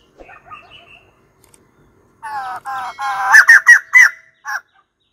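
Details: A White-crested laughingthrush (Garrulax leucolophus) gives a quiet opening chirp, then a burst of loud, harsh, nasal cackling notes, about six rapid chattering bursts in two seconds.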